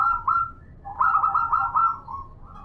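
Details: Female local zebra dove calling a male, heard as a short burst of soft, warbling coo notes that roll together at a mid pitch.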